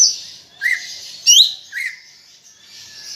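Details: Chattering greater green leafbird song: a lower slurred note, a sharp rising whistle, then another lower slurred note, spaced about half a second apart over a faint hiss.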